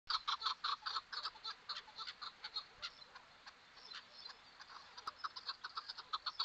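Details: A chukar partridge gives conversational calls, rapid clucking chuk notes several per second in steady bursts with a harsh, rasping edge; no other sounds stand out.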